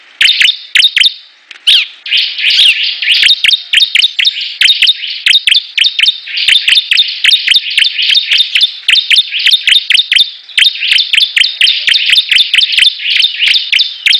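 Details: Competing bar-winged prinias (ciblek) singing nonstop: dense, fast strings of bright descending chirps layered with crisp ticking clicks, barely pausing over fourteen seconds.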